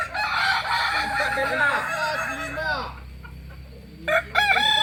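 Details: Kokok Balenggek cockerel, a native Solok bird of West Sumatra, delivers an extended tiered crow of many bouncing arched notes for three seconds, a quiet pause, then a fresh loud burst begins.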